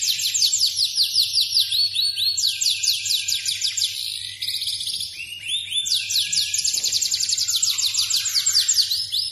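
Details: Yorkshire canary, second-generation captive bird, singing a special song: long rolling trills of rapid sweeping high notes, pitch shifting between phrases, continuous throughout with a steady low hum beneath.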